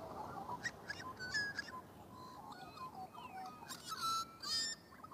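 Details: Magpies singing: a warbled mix of fluting whistles and short harsh, buzzy notes, several phrases overlapping, ending in louder bright slurred whistles.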